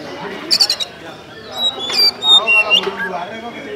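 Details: Oriental magpie-robin basic song, LDA (Langit Di Atas Awan) style: a raspy stuttered burst followed by thin clear whistles and slurred notes, against background talking.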